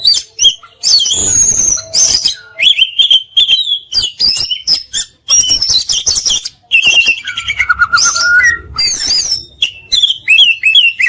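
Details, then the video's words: Oriental magpie-robin (kacer) in long full song: rapid varied whistles, harsh chattering bursts and a drawn-out descending whistle, delivered in dense continuous phrases. "Masteran Mewah Burung Kacer Full Isian Dan Tembakan"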